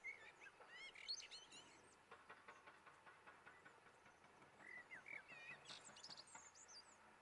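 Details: Blackbird, subspecies cabrerae, recorded at Firgas on Gran Canaria in February 2020, gives two soft fluted phrases, each followed by squeaky high twitters, with a run of clicking, rattling noise between them.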